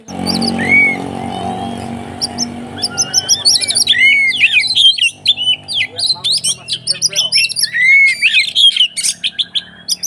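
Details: Oriental magpie-robin (kacer) fighting song meant to set other magpie-robins singing: a low hum at first, then a dense, rapid stream of bright whistles and chattering notes, with repeated upslurred phrases.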